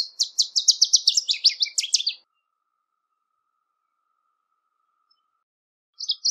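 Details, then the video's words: Northern Waterthrush (Parkesia noveboracensis) in song: a fast series of sharp chips that accelerates into a jumbled, lower, downslurred ending, followed by a long quiet pause and the opening notes of another song. "Birds Singing - Northern Waterthrush"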